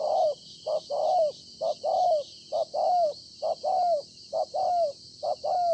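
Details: Wild-caught spotted dove repeating low, hollow coos in a steady rhythm, short notes alternating with longer downward-sliding ones, roughly one per second, over a faint steady hiss.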